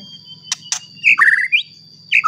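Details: White-rumped shama singing, played to provoke rival shamas: sharp clicks, then a rich whistled phrase rising and falling, ending in a fresh rising whistle, over a constant high tone and low hum.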